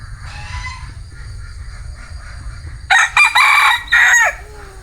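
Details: Crowing bantam cock: after nearly three seconds of quiet low rumble, a loud crow breaks in with choppy opening syllables and then a sustained, strained note lasting about a second and a half.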